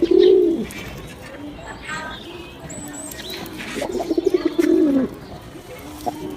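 Pigeons give low, rolling coos, a short one at the start and a longer throaty phrase near the end, with faint chirps from other birds behind.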